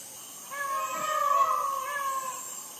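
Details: Midnight call of a peacock in Sri Lanka, recorded on a Sony ICD-PX470: one long, strained, harmonic wail lasting nearly two seconds, steady in pitch with a slight wavering, over low constant hiss.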